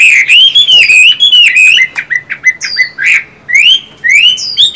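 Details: Chinese hwamei kept as a cage bird, one of a singing-style and fighting-style pair housed together unseen. Loud, clear whistled phrases sliding up and down, delivered in quick succession with brief breaks and a few descending slurs.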